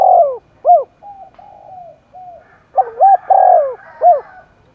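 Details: Spotted dove in Đồng Nai, cooing roused for contest: low hooted phrases, a drawn-out falling coo, then short arched notes, a pause of quieter coos, and a second burst of notes with the long descending coo.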